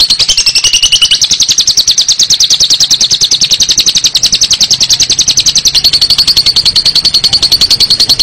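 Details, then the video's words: A lovebird in an extended ngekek bout, pouring out a continuous, very quick, shrill chattering trill at a steady high pitch from start to finish. "LOBET SEDANG NGEKEK PANJANG"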